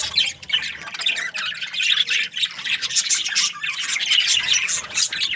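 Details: Budgerigars calling together in the morning, a busy stream of shrill chirps and short scratchy squawks with quick warbled phrases throughout, steady and unbroken.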